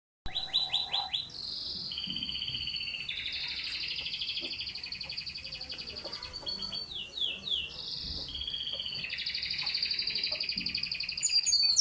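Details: A pet Belgian canary kept at home in Islamabad, Pakistan, sings in the early morning. It gives a long, continuous run of high, rapid trills and rolling warbles, switching between buzzy and clear phrases several times a second.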